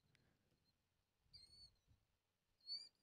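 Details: A recorded Killdeer call played indoors: two shrill, high, slightly falling cries about a second apart, described as high-pitched trills, over a faint low indoor rumble.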